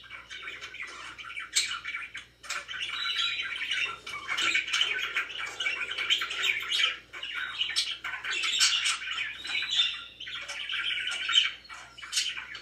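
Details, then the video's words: Very happy budgerigars kept as pets keep up a continuous warble of chirps, clicks and scratchy squawks, swelling and dipping in loudness over several seconds, with a few sharp high tweets. "VERY HAPPY BIRDS #chirpingbirds #budgie"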